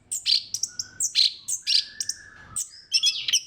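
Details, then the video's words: Orange-headed thrush (anis kembang) song, a lure recording meant to stimulate other thrushes to sing: sharp high chirps and short whistled notes in quick bursts, with a long steady whistle running beneath the middle section. "KICAUAN SEBENING KRISTAL ANIS KEMBANG GACOR PANCINGAN MANJUR"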